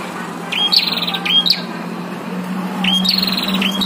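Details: Caged and wild prinias in a fierce contest: pairs of high whistles run into rapid buzzy trills in two bursts separated by a quieter gap, with a steady low hum underneath.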